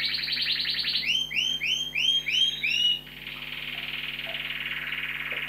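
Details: A canary sings indoors in a study, one of several kept in a flat: a rapid high trill, about eight bright upslurred notes, then a long rolling buzzy trill over a faint indoor hum.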